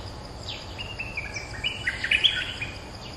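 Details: Streak-eared bulbul, in a recording used as a lure call to draw a territory-holding bird that answers back, gives a run of short, bright chirps and slurred notes, busiest toward the end, over a steady hiss.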